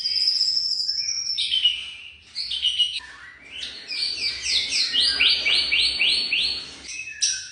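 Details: Young white-rumped shama song with high whistles and chips leading into a rapid, even run of about seven repeated rising notes, then a final sweeping whistle.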